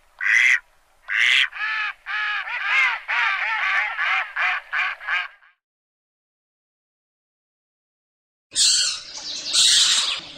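A Mallard gives about ten loud, nasal quacks in a quick series lasting five seconds. After a pause comes a harsh, noisy burst.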